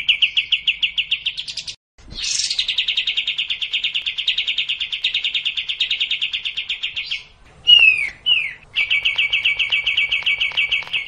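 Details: Kapas tembak, the sooty-headed bulbul, in racin style for luring a reluctant singer: long fast trills, a pause, two sharp downslurred whistles, then the trill resumes.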